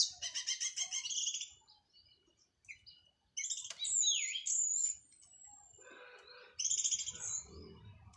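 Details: Orange-headed thrush of local Cililin stock, freshly through its moult, delivers a rapid run of repeated chattering notes, then high whistled slurs and a dipping phrase, with a quieter warbled section and faint low rumble near the end.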